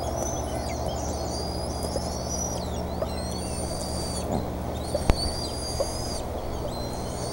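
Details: Bald eagles at the Decorah nest on 28 May 2014 as a fish is delivered; thin high whistled calls slide up and down in long strands over a steady low hum, with brief clicks and knocks.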